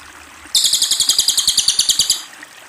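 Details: A single bright, rapid trill from a Cililin, with roughly fourteen sharp repeated notes over about a second and a half, fading at the end, over a soft background of running water.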